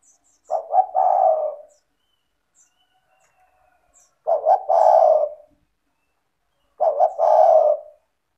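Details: Spotted dove, a keen caller used as a prompt for doves that are reluctant to call. It delivers three low phrases, each of two short clipped notes and a longer falling coo, spaced a few seconds apart.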